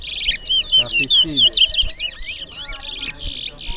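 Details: Sweet, bouncing whistled notes followed by harsh buzzy bursts from a towa towa seed finch competing in a singing contest in Berbice, with faint voices in the background.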